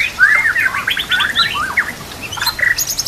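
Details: White-rumped shama master song with isian phrases for training birds, trickling water behind; a harsh buzzy, squawking series of notes, then scattered sharp clicks and chirps.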